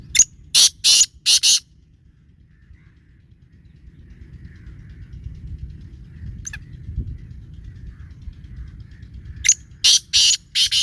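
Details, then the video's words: Grating, rhythmic calls of a black francolin, two phrases of five or six rough, buzzy notes separated by about eight seconds of near quiet with a faint click and low rumble. "کالا تیتر کی آواز"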